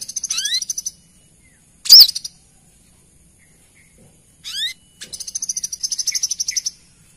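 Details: Female brown-throated sunbird calling the male, played as a lure: a fine high trill with descending slurred whistles, one loud sharp chip, then more rising slurs and a long rapid ticking trill.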